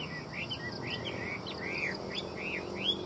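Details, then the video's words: Chinese hwamei kept in a cage in Vietnam, giving a series of rich, arching whistled notes that rise and fall, with brief pauses between them and low steady background noise. "Hoa mi hót giọng hay"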